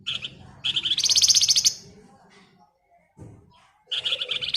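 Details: Flamboyan bird, a female calling the male, giving high rapid rattling trills: a short burst, then a longer pulsed trill of about a second, a pause with faint background rumble, then another trill series.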